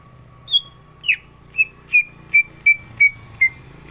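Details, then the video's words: Green leafbird (cucak ijo) in energetic contest-ready song: eight clean whistled notes, the first high and the rest falling and then holding level, spaced roughly half a second apart over a steady low hum. "CUCAK IJO GACOR ISIAN"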